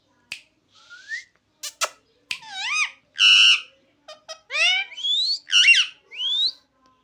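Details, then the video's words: Parrot imitating human speech, producing a varied string of sharp clicks, rising whistles and warbled, voice-like syllables that bend up and down, spaced irregularly with short silences between them. "Amazing talking parrot"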